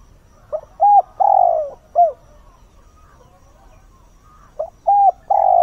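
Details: Spotted dove used as a decoy, calling in the early morning to stir wild doves. One full phrase of brief coos and a long, sliding coo, then a second phrase beginning and cut off during its long coo.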